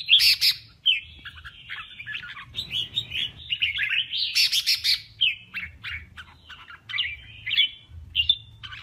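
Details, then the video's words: Male red-whiskered bulbul in contest singing of the kè kích style, used for voice training: loud, bright whistled and chattering phrases in quick bursts, some sharp rising notes, with brief pauses and a faint low hum beneath. "Tiếng kè Kích chào mào Trống Hót đấu"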